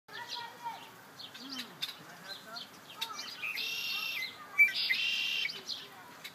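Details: Wild birds singing near a feeder at MK Nature Center: scattered high chirps and thin whistled notes, then two dense buzzy bursts around the middle and late in the clip, over a soft steady background hiss.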